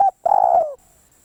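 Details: Spotted dove used as a decoy caller, giving a brief clipped note followed by a longer rolling, throaty coo that slides slightly downward and ends abruptly, clear against a quiet background.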